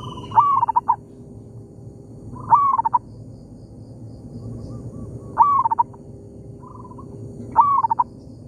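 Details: A wild local zebra dove in an oil palm plantation, answering a decoy bird, gives four soft, rolling cooing phrases, each a quick trill ending in stuttered notes, about two seconds apart, over faint low hum.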